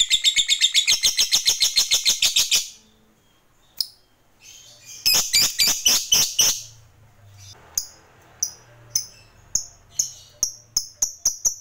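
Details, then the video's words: Fighter lovebird, a kept bird used to provoke rivals, giving its long chattering 'ngekek panjang' song: rapid harsh high chatter bursts around two and a half seconds, a pause, another burst, then spaced sharp clicks and chips with faint low hum. "Suara Lovebird ini Paling Bagus Buat Pancingan Lawan EMOSI Ngekek Panjang"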